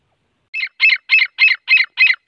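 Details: Grey francolin (teeter) calling in the morning: a run of seven harsh, squeaky, evenly spaced notes about one every third of a second, loud and clear with no other sounds.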